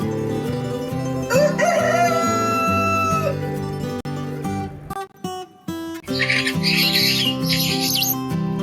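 A rooster gives one drawn-out, harmonic crow that rises and then holds steady for about two seconds, over continuous background music and a brief chirpy passage.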